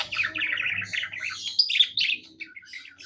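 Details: Pet budgerigar singing happily, a continuous soft twittering warble of quick chirps and bright squeaky notes, with a steady low hum in the background.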